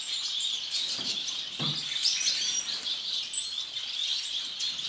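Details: A violet-mutation masked lovebird (Agapornis personata) gives a dense, shrill chatter of high twittering and squeaky chirps, with a brief low thump partway through.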